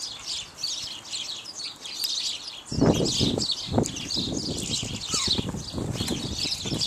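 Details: House sparrows, several birds, mostly male with at least one female, at bird seed: continuous high chirping chatter, joined after about three seconds by loud fluttering wingbeats and rustling as birds move about.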